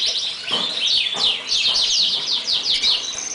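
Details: Lancashire canary of English origin, used as a master voice for young birds, singing busy bright twitters and slurred downward-swept notes in quick succession, with a few sharp clicks among them.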